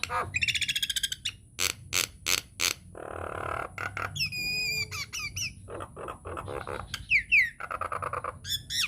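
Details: Nias hill myna lure song, played to make other mynas sing: high rattles, loud evenly spaced clicks, a nasal buzz, quick rising whistles and harsh chatter throughout.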